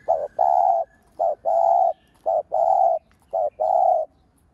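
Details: Spotted dove (cu gáy, cu đất) cooing as a lure bird to stimulate other doves: four low, mellow phrases, each a short coo followed by a longer drawn-out coo, repeated about once a second with quiet gaps.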